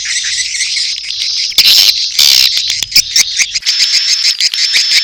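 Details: High buzzy twittering of edible-nest swiftlets in a mating call mix with chick calls, broken by two loud broadband bursts and sharp clicks, with a faint low hum early on.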